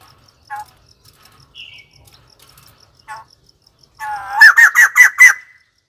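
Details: White-crested laughingthrush: scattered soft notes, then a loud run of five or six rapid harsh laughing notes in the final two seconds.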